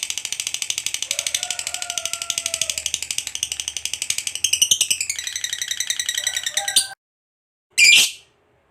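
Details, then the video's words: Long ngekek chatter from a hobbyist's fighter lovebird. A fast, rattling stream of high, scratchy notes runs for about seven seconds, then stops. A single harsh screech follows after a short silence. "KICAU LOVEBIRD GACOR NGEKEK PANJANG"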